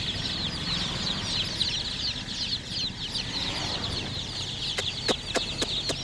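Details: Crowd of chicken chicks chirping, shrill falling peeps pouring out continuously, with several sharp clicks near the end.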